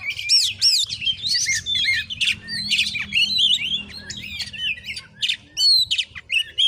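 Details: Oriental magpie-robin singing in a fighting context in a village in Muko Muko, Bengkulu, Indonesia; dense varied whistles mixed with scratchy squawking notes, almost continuous, over a low steady background hum.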